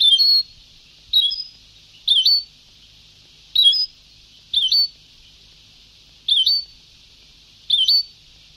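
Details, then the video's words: European goldfinch, very old Sebtaoui-style song tape: bright, high, twanging phrases with a quick rising flick, delivered about once a second over a faint continuous hiss. "Canto del jilguero antiguo شريط تغريد سبتاوي قدييييييم"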